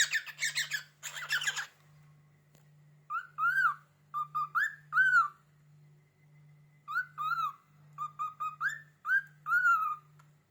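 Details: Pet cockatiel perched on a cupboard indoors, reacting to a finger scraping the door, opens with two scratchy chatter bursts, then whistles clear short notes in groups: level, slurred and arched tones, over a constant low hum.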